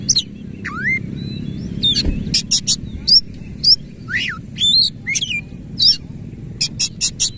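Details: Oriental magpie-robin displaying with its tail fully open while singing 'nembak ngerol': a deep V-shaped whistle, buzzy crackling bursts and crisp high chips, spaced in separate phrases with brief gaps, ending in a quick triple burst.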